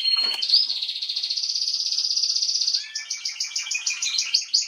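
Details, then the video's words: A female Atlantic canary, 21 January 2022, sings a long steady high rattling trill for over two seconds, then switches to slower repeated bright chirped notes. "Kanarengirlitz Canary girl with a very beautiful voice"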